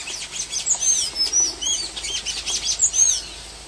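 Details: Wild golden-chevroned tanager singing freely in nature, giving a fast string of high, sweet whistles and sharp chirps with several slurred, arching notes, phrases tumbling quickly one after another for over three seconds.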